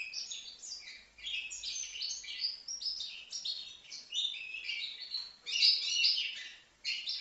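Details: European goldfinch, young at five months, from Livno, giving an extended rapid twittering song of sharp high chirps and trills, about two notes per second, rising to a louder burst before a brief pause.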